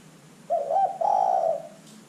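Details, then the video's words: Lure call of a zebra dove: one short phrase, a wavering coo followed by a longer, level, mellow note that fades out. "LANGSUNG IKUT BUNYI dengan pancingan terkukur GACOR ini"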